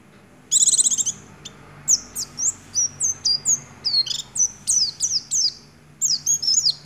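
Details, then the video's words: Oriental white-eye singing in the 'nagen ngecrok' style, its song filled with imitations of the white-rumped shama: a fast run of high chirps, then steady, sharp, downslurred whistled notes repeated about twice a second. "Pleci gacor gaya nagen ngecrok isian Murai batu"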